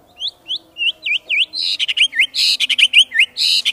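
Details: Kept white-rumped shama singing: a run of V-shaped whistled slurs that grows louder, then mixed with harsh high bursts and quick swooping notes in a dense, varied phrase.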